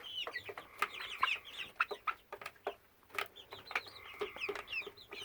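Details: Hen of 10–12 weeks, acting fine apart from a constant sound begun May 22, 2017; a level buzzing tone appears in stretches amid many quick chirps and sharp tapping sounds.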